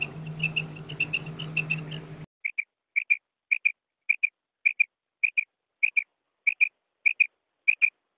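A female common quail gives short, high, liquid notes in quick pairs, the pairs repeated about every two-thirds of a second. A low hum fills the first two seconds.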